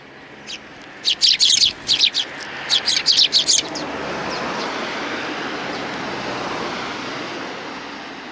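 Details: Sparrows arriving to be fed at a shrine approach on 29 May 2020 chirp in a rapid cluster of high notes for about two and a half seconds, followed by steady broadband rushing noise.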